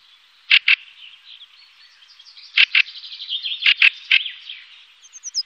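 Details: Fieldfare in Wittlich, 2018, giving harsh, rasping chack notes, mostly in quick pairs, with a soft squeaky chatter running between them and a few high thin notes at the end.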